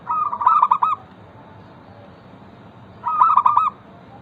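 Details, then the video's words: Lure song of a local zebra dove, aimed at making other zebra doves sing quickly. Two long, loud phrases about three seconds apart, each a rapid stuttering roll of cooing notes, with quiet hiss between them. "Perkutut lokal gacor pancingan ampuh Suara disukai burung perkutut bikin cepat bunyi langsung nyaut"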